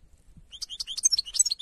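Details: A European goldfinch sings in the wild, a rapid, high tinkling run of twittering notes and liquid trills, bright and quick-paced, with no other sounds.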